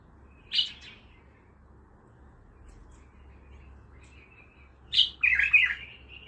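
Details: Untrained Baghdadi-style bulbul gives a brief bright note, then after a pause of four seconds a loud, rollicking phrase of fluty, descending whistles, close and clear over a quiet background.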